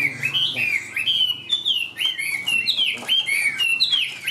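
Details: Tame caged Chinese hwamei delivering a high, rolling series of slurred whistles, each phrase dipping and lifting, with occasional sharp clicks, sung while carried by hand.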